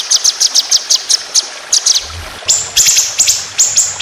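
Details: Quick staccato high chips from a white-rumped shama competition bird give way to louder, rolling accented notes in the 'tembakan panjang roll speed' style.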